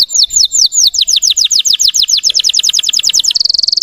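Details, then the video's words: Russian canary lure song: spaced down-slurred chirps that speed up into a fast rolling series, then shift into a dense high trill. "PANCINGAN SUARA BURUNG KENARI RUSIA UNTUK MANCING EMOSI BURUNG BAHAN"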